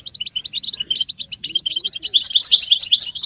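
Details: European goldfinch chorus used as motivation for caged males to sing; rapid high tinkling notes run together, growing louder and more liquid toward the end, with faint low sounds beneath.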